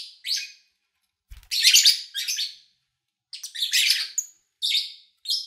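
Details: Lovebird chirping from August 2019, taken over days of morning-to-evening recording; high harsh chirps in irregular clusters, one brief low knock early on, and a long gap before the final bursts.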